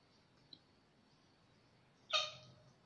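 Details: A wild cockatoo seen from a balcony in Sydney gives one loud, harsh, raspy screech lasting under half a second after a quiet stretch with a faint click.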